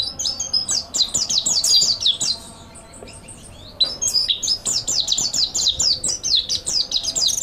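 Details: Mountain white-eye master song: two busy runs of high, squeaky chirps and sliding notes, separated by a short quieter gap, the notes tumbling rapidly over one another.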